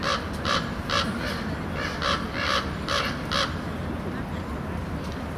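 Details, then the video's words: A run of seven rough, grating raven calls, evenly spaced about half a second apart, recorded at San Francisco's Palace of Fine Arts in June over a constant low urban rumble. "Hear Ravens"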